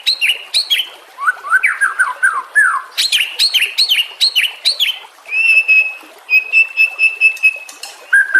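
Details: White-rumped shama master song meant to teach other songbirds: a run of descending slurred whistles, then sharp repeated chip notes, followed by long steady pure whistled notes held about a second each.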